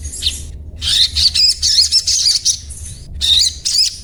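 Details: Crimson sunbird (sogon) chirping a 'cuet cuet cuet' daily song: a brief squeak, a pause, then long dense runs of high, twittering, buzzy notes broken by short gaps, over a low background hum.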